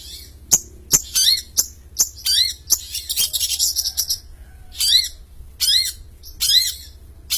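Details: Long-tailed shrike singing a champion-style song: sharp harsh squawks and clicks, then loud bursts of rapid high chattering with repeated descending whistled slurs, pauses between phrases, quiet low hum beneath.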